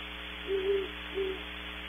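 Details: Distant great horned owl at Audubon Starr Ranch, California, heavily processed: a doubled low hoot followed by one shorter hoot, soft and muffled, with a steady hum behind.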